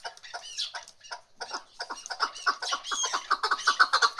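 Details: Female chukar partridge calling in a fast run of short, harsh chuck notes, about four per second, that crowd together and grow louder toward the end, with no other clear sounds.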